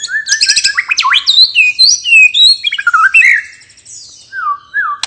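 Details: Relaxed ngeplong song of a white-rumped shama, played to prompt stalled birds to sing: quick rising and falling whistled slurs in a rapid varied stream, with a short pause before two soft falling whistles.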